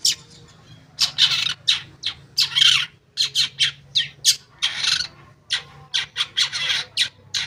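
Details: Long-tailed shrike singing, a lure to set quiet shrikes singing: loud grating, buzzy bursts, some drawn out, others clipped, coming in uneven clusters with a faint low hum behind.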